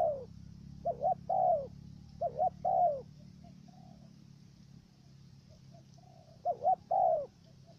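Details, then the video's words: Trapping decoy dove in Cà Mau, Vietnam, giving repeated stuttering coos. Three phrases, each of two short hoots and a long falling coo, with soft faint coos between them over a steady low hum. "Bổi thổ gù cà lăm tiếng đầu"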